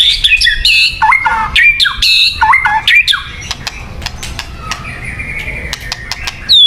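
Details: White-rumped shama song used for luring birds: loud varied whistled phrases with rising and falling slurs, sharp clicks and rapid notes, then a long steady whistle near the end.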